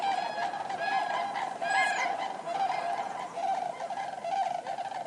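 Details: Common cranes calling as a flock, many overlapping loud trumpeting honks layered into a continuous rolling chorus, with higher bugling notes rising above it now and then.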